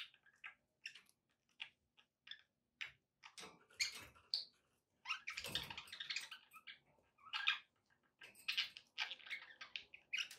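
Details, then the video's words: Pet budgerigars indoors, kept as company for a pet parrot: scattered short scratchy chirps and chatter, with brief pauses between bursts, plus a splashy, noisy stretch in the middle. "budgie sounds with background noise for relaxation"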